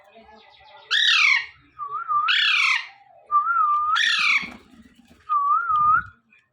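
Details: Morning calls of a young pet Alexandrine parakeet: four loud raspy squawks, several linked by short wavering whistled notes, roughly one every second and a half in a small room.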